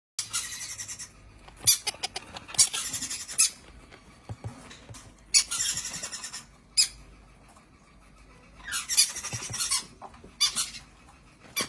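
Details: Several hand-reared young monk parakeets (quakers) give bursts of harsh, raspy squawking in clusters lasting one to two seconds, separated by quieter pauses, with a few isolated sharp calls in between.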